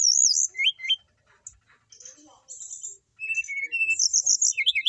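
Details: Kept brown-chested jungle flycatcher singing freely: loud high slurred warbles and upward-flicking whistles, a pause with soft chatter, then sustained clear notes and a rapid, rolling burst of high twittering phrases.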